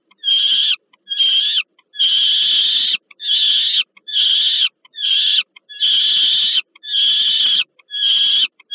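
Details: Repeated rasping wails from peregrine falcons at the Termika Żerań nest in Warsaw, Poland, 15 August 2022, an adult delivering food to a young falcon. The screeches vary from short to long, with brief silent gaps.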